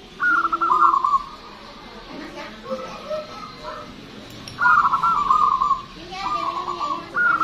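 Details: Local Zebra dove, actively singing with a big, drawn-out voice for luring: a rolling, pulsed coo at the start, then after a quiet stretch three more trilled phrases close together.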